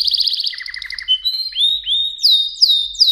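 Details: Song of a Mosaic canary: a rapid bubbling trill with a lower echoing row, a short flat whistle, then clear sweeping notes that rise and fall, repeated at a leisurely pace.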